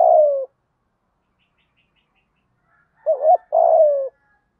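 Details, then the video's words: Spotted dove calling to train a new decoy bird to coo: a falling coo at the start, silence, then a wavering short note and a longer downward-sliding coo. "chim cu gáy tập bổi hiệu quả mới nhất, tiếng gáy giúp bổi nghe rất xiếng gáy và nổi mau"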